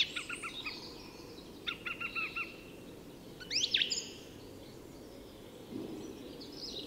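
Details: Song thrush at dawn in Tyresta National Park, Sweden: repeated short stuttering notes in quick series, then a loud sweeping high phrase, against a noisy low background.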